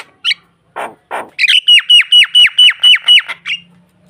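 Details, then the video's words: Starling luring another bird while nodding repeatedly. A few harsh bursts open the clip, followed by a loud run of about nine rapid, downward-sweeping whistled notes on one pitch, then a short final note. "Burung jalak memancing mangguk mangguk"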